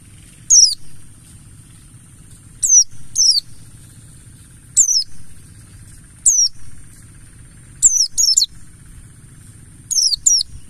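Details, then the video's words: Mountain white-eye lure in the ngalas style: thin, very high descending notes, singly or in pairs, spaced roughly every one to two seconds across the stretch, with a constant low hum behind. "Pancingan burung Pleci Buxtoni Ngalas"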